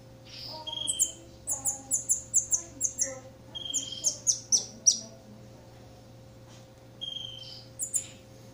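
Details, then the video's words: Campo troupial chick being fed, giving rapid runs of very high, sharp chirping notes in a rhythmic burst for about four seconds, then quieter, with a few more high chirps near the end; faint steady electrical hum underneath. "Alimentando filhote de corrupião (Icterus jamacaii)"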